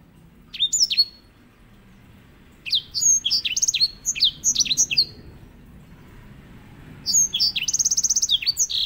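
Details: White-rumped seedeater singing as a master bird for training canaries. It gives bright, high whistled notes in quick clusters, then a pause, then a phrase ending in a fast buzzy trill.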